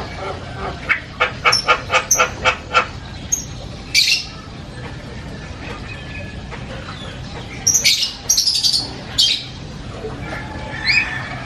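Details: Asian pied starling singing loud, varied chatter: a run of harsh rhythmic notes, then scattered squawks and whistled phrases with quiet gaps between.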